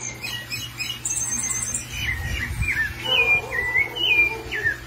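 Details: Caged sabiá thrush, excited after seeing another bird loose, giving sharp whistled and squeaky calls, including a fast trill early on and several slurred downward whistles, with a low mechanical hum behind.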